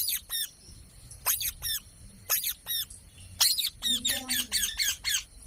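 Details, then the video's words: Talking parrot repeating sharp, high, harsh squawks in short bursts, often in pairs, then a faster run of similar squawks near the end with a low hum underneath. "Parrot Sound Videos | Parrot Sounds | Parrot Video | Talking Videos Compilation"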